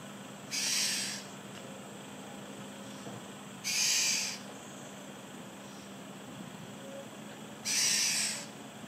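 A black-naped oriole gives three harsh, nasal, rasping 'kwaak' notes about every four seconds, over a faint steady hum.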